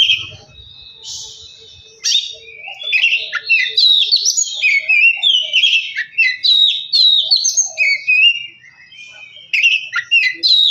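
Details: Oriental magpie-robin in full song, meant to spur another bird to sing: after a quiet start, a dense outpouring of whistled, warbling and buzzy phrases with brief gaps between bursts.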